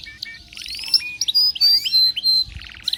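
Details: Excited canary song in a varied burst: short buzzy rattles, clear level whistles, brief rising and falling slurs and a low bubbling note, tumbling together with uneven loudness.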